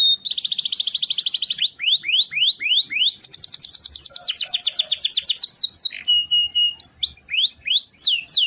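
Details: Canary with a long rolling song meant as a master for tutoring other birds; fast buzzy trill, sweeping downslurred whistles, a dense rattling roll, then a steady flat whistle and more swooping notes.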